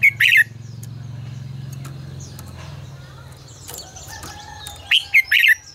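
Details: Red-whiskered bulbul 'ché căng lửa' song for bird voice training: a short, loud, warbled whistle phrase opens and two more close the passage, separated by a steady low hum and scattered clicks and faint chirps.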